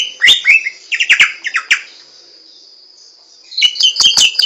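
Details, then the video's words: Hwamei singing in the wild in short bursts of quick, slurred chirping notes. A quiet gap of almost two seconds separates the bursts before another phrase of bright notes. "SUARA BURUNG SAMYONG DI ALAM LIAR"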